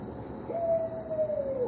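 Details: Barred owl giving a long drawn hoot that rises sharply, holds steady, then slurs downward at the end, over a quiet hissing background.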